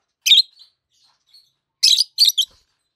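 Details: Peach-faced lovebirds, a healthy adult pair, one red-faced and one white-faced, giving loud shrill chirps: one harsh burst, a long pause with faint notes, then three rapid piercing bursts close together.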